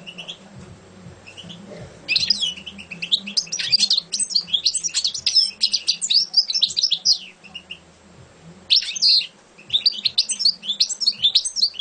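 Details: A champion goldfinch bursts into long, dense runs of high, jangling twitters and buzzy chirps after two quiet seconds, pausing briefly around eight seconds before resuming, with a continuous low droning hum in the background.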